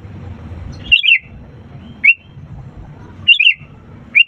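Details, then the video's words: Sooty-headed bulbul singing, played to get quiet birds singing: two bubbly multi-note phrases, each followed by a single clear whistled note, within four seconds, over a low rumble. "pancingan kutilang gacor untuk burung malas' bunyi"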